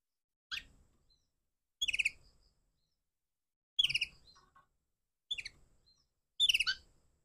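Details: Crossbred canary in the morning giving five short, sharp chirping bursts, each a quick cluster of high notes, spaced one to two seconds apart in an otherwise quiet setting.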